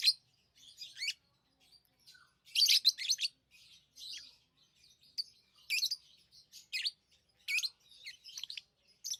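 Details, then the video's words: Pet lovebirds give scattered high, thin chirps and harsher rasping bursts, sparse at first then more frequent, with quiet spaces between calls. "Love birds Sounds | lovebirds chirping sounds"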